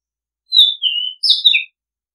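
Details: Oriental magpie-robin song, a long-play recording offered as a calling and decoy sound: a clear whistle gliding down from high to mid pitch, then a brighter burst of sharp notes ending on a short lower whistle, against total silence.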